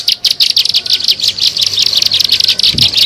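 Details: Short lure recording of a plain prinia (ciblek sawah): quick, bright, high chirps in a regular rapid pulse, with a soft thump near the end.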